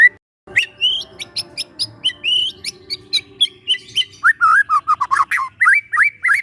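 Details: Young forest White-rumped shama, recorded as a relaxed lure for training, gives spaced high whistles that then turn into a fast run of lower looping, warbled notes over a faint steady hum.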